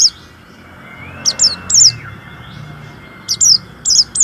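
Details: Warbling white-eye in full song, intended to rouse white-eyes that seldom sing: short clusters of thin, very high, down-slurred chirps separated by pauses, against a soft murmur of background noise.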